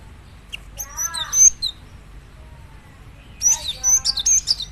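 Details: Java sparrow song meant to draw other Java sparrows into singing: a phrase of bright clicking notes and whistles, a quiet pause, then a second dense burst of high chirps.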